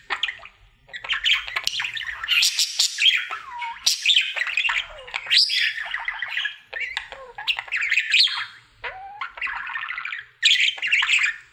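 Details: Singing pet budgerigar, male, performing his daily song routine: long run of scratchy chatter, squawky notes and quick upward and downward whistled slides, with a few short gaps between phrases.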